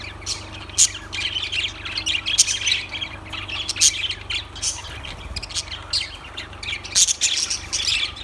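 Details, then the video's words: Steady lovebird chatter of scratchy squawks and high chirps, punctuated by several sharp, piercing notes. "Lovebirds Sounds Birds Singing"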